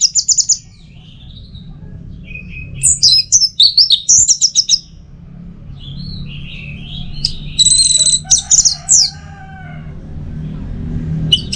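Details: Orange-headed thrush song, a training and lure recording for the teler style: varied high whistled and chattering phrases in bursts, separated by short pauses over a faint background hum.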